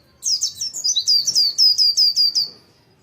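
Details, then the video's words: Morning song of an Oriental white-eye, a rapid series of high sweet downslurred whistles in quick succession, slightly irregular, fading at the end of the phrase. "Pleci gacor ngalas pagi hari"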